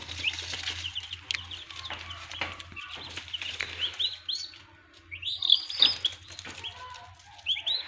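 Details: Turkey chicks hatching in an incubator on a farm in Darrang, Assam. Many overlapping high, thin peeps come in loose bursts, louder toward the end, over a low humming motor.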